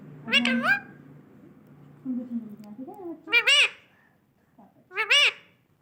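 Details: An Indian ringneck parakeet gives three bursts of rich, wavering, speech-like calls, rising and falling in pitch, with quieter murmurs between them in a small room.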